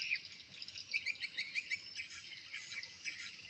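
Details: Inside a new swiftlet house, swiftlets respond to played lure and chick sounds with thick high chatter. Sharp bright chirps pulse roughly twice a second over a steady hiss of calling.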